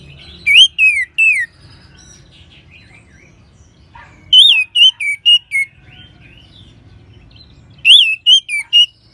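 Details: Orange-headed thrush (Anis Merah) from Singaraja, North Bali, singing as a training and prompting sound for other birds: three bursts of loud, clear whistled phrases, each a run of four or five wavy notes, separated by quiet pauses.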